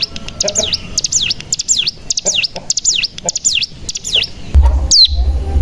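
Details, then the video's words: Bar-winged prinia lure call for getting other birds to sing: a rapid run of steeply swooping high whistles, ending in a burst of low rumbling noise. "Pancingan Cigun Bahan Agar Bunyi Langsung Ngebren Paling Ampuh"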